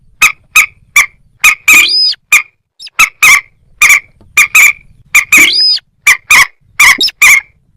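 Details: Moorhen uttering a rapid series of dry, clicking notes, often doubled, broken twice by a longer wavering squeal.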